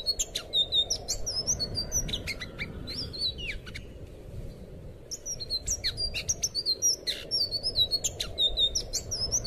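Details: Anis biru (blue thrush) tutor song for untrained captive birds: energetic phrases of high whistled notes, slurred sweeps and scratchy buzzes, a quieter stretch in the middle before a rapid resumption of loud rhythmic chattering; low hum throughout.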